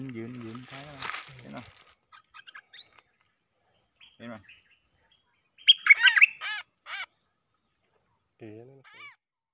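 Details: Caged decoy bulbul set out to lure wild birds, which came in three times, recorded 13 April 2021; a man talks first, then a quick burst of bright, rapid chirped notes, followed by a few scattered short chirps amid quiet.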